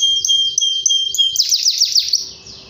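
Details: Canary singing strongly, said to set other canaries singing: a steady high whistled tone with soft chirps, then a quick series of loud downward-sweeping trill notes fading into a faint hiss.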